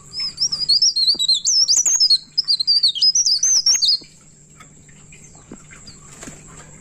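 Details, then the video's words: Midnight song of a pied bushchat in energetic ngerol style: about four seconds of fast, high, twisting whistled warble, then near silence with a faint hum and a couple of soft ticks. "Burung Pare pare Gacor Ngerol Enak Tengah Malam"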